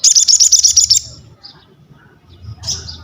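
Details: Crested jay in full song, used for mental training, masterans and prompting other birds to sing: a fast, even burst of about ten high, harsh pulsed notes lasting one second, then near silence with one brief shrill note at the end.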